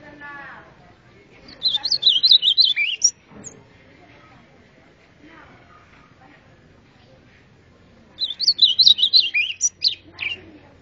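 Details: Golinha (white-throated seedeater) giving its taught azulão song twice, each a swift warbled run of high looping notes lasting over a second, separated by about five seconds of near silence with faint background sounds.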